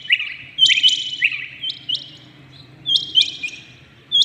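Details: Rain quail heard early in the morning, sending out crisp high notes in short falling groups, separated by brief quiet gaps.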